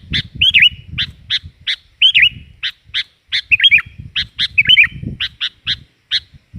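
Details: Lively sooty-headed bulbul used as a lure sound: steady sharp chips with occasional dipping warbled phrases, over constant low rumbling background noise.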